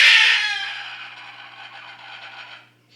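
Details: Pumpkin, a very loud pet Moluccan cockatoo, gives one loud, harsh, rasping screech that is strongest for half a second, then trails off in a ragged, fading rasp for about two seconds.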